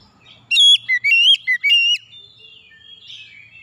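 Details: Oriental magpie-robin song used as a lure to prompt reluctant birds to start singing: a quick run of five loud, clear whistled notes with rising and falling slurs, then fainter, softer warbling.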